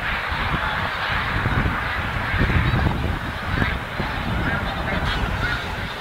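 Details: Snow geese massed at Montmagny, the capital of the Snow Goose, during migration, giving a blurred, constant chorus of honks over strong low wind rumble.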